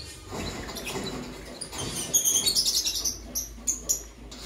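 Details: Morning chirping from pet Fischer's lovebirds in Parblue Violet and Pastel Green Opaline mutations. A rapid burst of thin, very high chirps comes about three per second, then two isolated chirps, over a soft low rumble.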